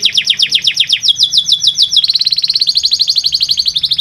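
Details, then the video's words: Canary song meant to get lazy canaries singing; rapid downswept notes about four per second, then a tighter, fast, rolling trill sustained to the end. "Sekali putar kenari yang malas bunyi langsung nyaut di jamin gacor 100%"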